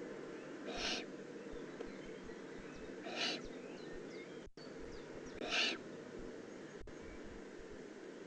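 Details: Eifel recording from 18 June 2016 of a young Eurasian eagle-owl: three muffled, rasping hisses spaced around two and a half seconds apart, fairly faint amid steady background rumble.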